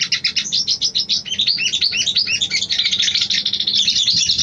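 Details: Female sooty-headed bulbul calling the male in courtship: a quick run of sharp, high chirps that speeds into a continuous, thin twittering chatter.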